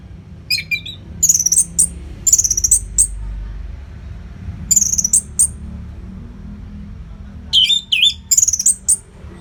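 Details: Very high, thin warbled phrases from an orange-headed thrush, a nonstop training song for competition birds, delivered in bursts about a second apart over faint low rumble.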